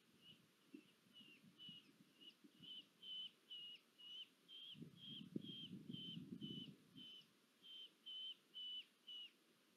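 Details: At a nest in Polgár, Hungary, on 1 August 2022, a female red-footed falcon bringing food gives about twenty sharp, high repeated notes at roughly two per second, while a low rumbling noise rises midway.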